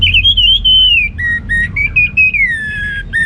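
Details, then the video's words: Orange-headed thrush delivering ngeplong gacor song: a sustained, pure whistle slurring gradually downward, broken into several long drawn-out notes at slightly different pitches, with short gaps between them. "Anis Merah Ngeplong Gacor"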